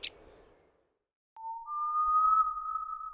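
A short noisy burst, a pause of silence, then a steady electronic tone joined by a second higher tone, with no animal sound.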